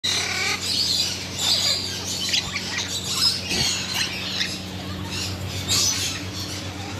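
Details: African grey parrots, kept as tame birds, giving a run of harsh, noisy squawks and short chirps spread through the whole stretch, with a steady low hum underneath.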